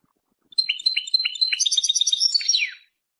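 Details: Single brisk European goldfinch phrase: sharp dropping chip notes give way to dense, bell-like twittering and close with a descending slurred note.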